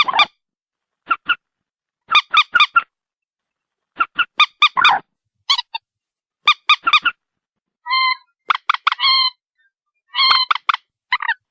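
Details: White-breasted waterhen calling steadily for over ten seconds, with short honking notes in runs of two to five and occasional longer, flatter honks near the end.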